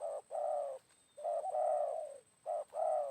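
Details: Close spotted dove calls while a decoy draws in a wild bird, afternoon after rain: strong sustained coos with slight wavering, separated by short pauses, plus brief clipped coos; a thin constant high tone underneath.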